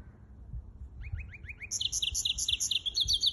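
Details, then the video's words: Hybrid finch in song, 23 April 2023; after a quiet start, a short series of quick rising chirps leads into a steady, rhythmic run of bright repeated high notes with faint background rumble. "гибрид поёт"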